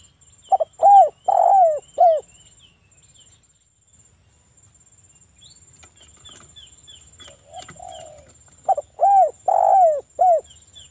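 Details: Spotted dove cooing, a local bird used as a lure to set other doves calling. Two phrases of short clipped coos leading into a drawn, downward-curving coo. A soft thud sounds in the pause and a faint high steady whine runs underneath.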